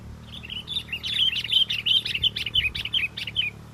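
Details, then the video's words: Sooty-headed bulbul singing lively despite strong wind during bird luring: a continuous string of bright, bubbly whistled chirps, about four notes per second, rising and falling, over a faint low rumble. "pikat kutilang walaupun angin kencang tetap gacor"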